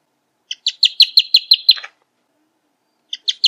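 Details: A rufous hornero gives a quick burst of about eight sharp, clipped notes. A pause follows, then three more notes begin the next series.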